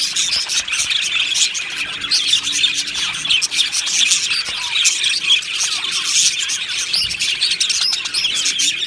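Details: Happy budgerigars chirping in a colony aviary, a thick, even blanket of high twittering and clicking notes from many birds, steady in loudness from start to finish.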